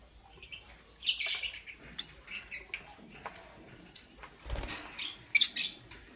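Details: Morning chirping from Lutino and Blue Opaline lovebirds: sharp, buzzy high chirps in scattered clusters, a loud rasping burst near the start and more shrill chirps toward the end, with quiet gaps between.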